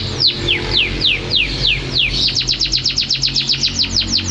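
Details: Singing canary: a series of quick downward-sweeping whistles gives way to a rapid rhythmic trill of short falling notes.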